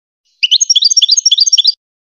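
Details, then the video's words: Goldfinch singing, intended for teaching hybrid chicks: a compact burst of about twelve clear, high chirps alternating in pitch at a brisk, even pace for just over a second, in otherwise silent surroundings. "The best singing to teach hybrid chicks and goldfinch"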